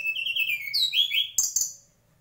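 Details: Loud mangrove whistler song: a run of clear whistled notes that climbs in pitch through rich rising slurs, then breaks into a brief burst of sharper high notes and fades out.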